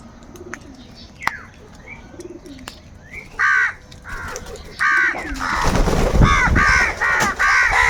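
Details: Crows fighting for food start with scattered faint calls, then break into loud angry cawing: hoarse, nasal caws repeated quickly, becoming a near-continuous harsh chorus over rustling noise.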